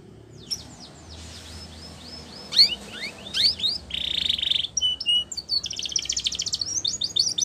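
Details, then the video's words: A canary sings a loud, varied training song: high chirps and rising whistles, then a buzzy rattling trill and fast, rolling trills repeated in quick bursts. "Canary's Most Powerful Song For Training"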